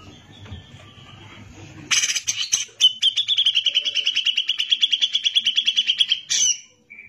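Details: Grey-cheeked bulbul, likely caged, singing for a master recording used to train other songbirds: a harsh scratchy burst, then a long rapid trill of about forty sharp repeated notes, ending in a short rough flourish; faint low hum early on.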